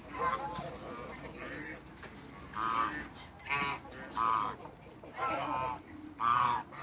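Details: A pair of large African geese in a backyard: spaced nasal honks, singly and in pairs, over a faint background murmur.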